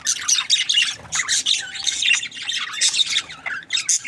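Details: Several budgies chattering together, giving rapid bursts of high, scratchy squawks and chirps in uneven pulses, with brief dips between bursts and a faint low hum underneath.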